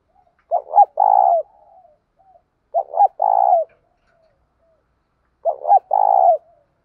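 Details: Spotted dove with a thổ sấm voice, calling to rouse decoy birds. Three evenly spaced, deep phrases come about every two and a half seconds, each a sharp double note and a long throaty coo.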